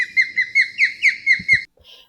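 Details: Ospreys in a yard during summer, in their breeding area, give the call they reportedly make to protect their nest: a quick run of about eight clear, high, slightly slurred whistled chirps, about four a second; faint low thumps near the end.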